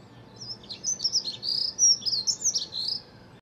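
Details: A dunnock singing in a back garden on 9/4/14 gives a fast, high warbling jumble of squeaky notes for about three seconds over a faint low background hum.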